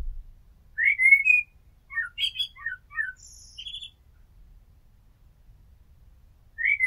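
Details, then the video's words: Common blackbird, a resident garden bird, singing for relaxation: fluted whistled phrases around mid pitch, then a pause, a chain of short warbling notes and a high thin twittering ending; quiet background. "Amsel Gesang - Merle Noir Chant - Blackbird Song - Mirlo Cantando"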